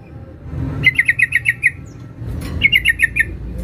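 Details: Sooty-headed bulbul female calling a male: two fast bursts of six to seven crisp, sharp, evenly spaced notes separated by a short pause, over quiet low background noise.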